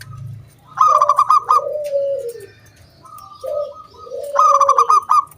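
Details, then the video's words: Zebra dove song in the crystal 'kung bulat' style from a loud local wild bird, meant to draw other doves into song. Quick stuttering notes sound over a short note and then a long falling coo, repeated twice, with a soft low hum at the start. "SUARA KRISTAL KUNG BULAT PANCINGAN SANGAT AMPUH BURUNG PERKUTUT GACOR MANGGUNG"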